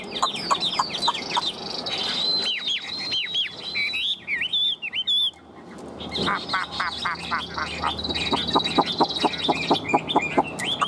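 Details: Caged Chinese hwamei singing a busy, varied song of rapid upslurred whistles, brief wavering trills and loud clicking runs, with noisy background.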